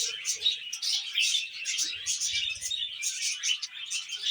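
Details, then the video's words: Budgies eating vegetables and described as happy keep up a lively chirping warble in quick pulses of bright, buzzy notes, with faint low rustling. "Happy Budgies Eating Veg"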